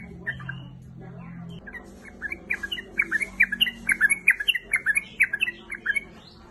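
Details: A female sooty-headed bulbul calls energetically to attract a male: after a quiet opening with low hum, a lively series of quick, warbling chattering notes builds and runs on steadily to the end.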